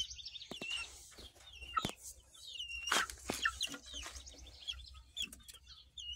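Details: Young chickens, two chicks of unidentified breed recorded in July 2023, give high downward-sliding peeps in quick series, partly covered by frequent sharp clicks, taps and rustling close by.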